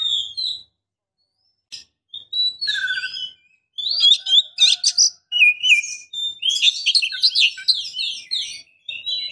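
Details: Calling female Oriental magpie-robin luring a male: scattered high whistles at first, building into a rapid, dense jumble of sweet whistled and scratchy notes.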